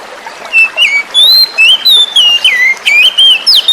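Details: Forest-caught young oriental magpie-robin singing to prompt silent magpie-robins into song: a rapid, varied string of loud clear whistles, rising and falling slurs and quick swoops, nearly continuous, with flowing water faintly beneath.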